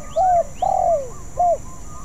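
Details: Spotted dove, still unskilled and practising: three coos, the middle one long and falling, the last short and arched, with thin whistles from other birds in the background.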